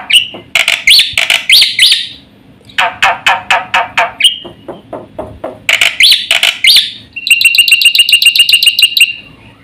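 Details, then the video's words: Fast full song of a black-winged starling for stimulating and tutoring other birds: loud harsh phrases, a run of evenly spaced rasping notes, a brief whistle, then a rapid buzzy trill of rattling pulses. "suara burung jalak putih GACOR FULL ISIAN paling cepat untuk PANCINGAN dan MASTERAN"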